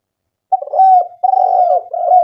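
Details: Spotted dove lure recording meant to prompt doves to call: a continuous series of low, mellow, slightly husky coos in three joined phrases, with no other sounds.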